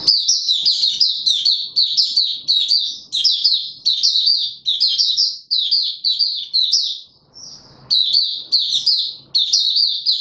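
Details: Caged white-eye being pushed on form, pouring out a fast, continuous high warbling song of twittering slurred notes in phrases of about a second, almost without pause except one brief break.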